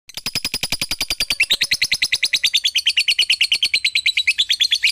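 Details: Lovebird song used as a lure to provoke other lovebirds into singing: a long, fast series of sharp, high chirps that start spaced and grow denser and brighter about halfway through, in a steady chattering rhythm.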